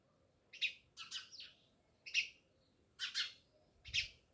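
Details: House sparrow chirping near a village house in Jamnagar: sharp, bright single and paired chirps, about six notes spaced irregularly over four seconds, a soft low thump near the end.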